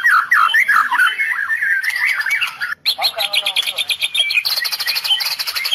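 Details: White-rumped shama of the Medan type in cililin 'tembakan' style: a loud warbling burst of slurred notes, then high rapid chirps and trills repeated in quick pulses.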